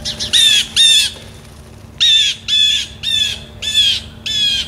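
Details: Blue jay recorded outdoors in real time. It gives loud, harsh, screeching jay calls: a quick pair, a pause of under a second, then four more evenly spaced about half a second apart, with only a faint low hum behind.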